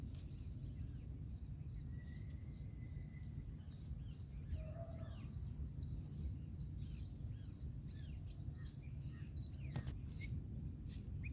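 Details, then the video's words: Bulbul nestlings in their nest being fed by a parent, on day 4 of nest watching, with a mantis poking a chick's head; rapid high, thin chirps repeated many times a second over steady low background hum, plus a brief longer whistle. "Bulbul Baby Birds Feeding baby birds in Nest"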